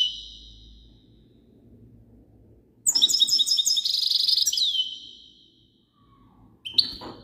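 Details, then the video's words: Goldfinch song: after a quiet stretch with low background hum, a dense burst of high, liquid twittering and buzzy trills, closing with a falling slur, then a short sharp note near the end. "تغريد حسون"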